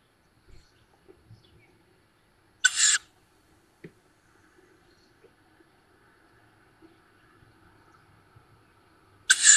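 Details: Tawny owl fledglings at their woodland nest on the edge of Szokolya village, Hungary, 7 May 2022, via nest camera: two short hoarse hisses about seven seconds apart, quiet ticks between.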